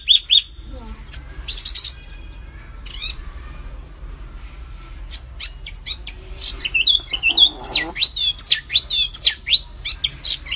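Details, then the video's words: A flamboyan bird gives scattered high whistles and chips early on, then after a quiet stretch builds into a dense, rapid run of sharp looping notes; low hum throughout. "SUARA BURUNG MIRIP FLAMBOYAN GACOR"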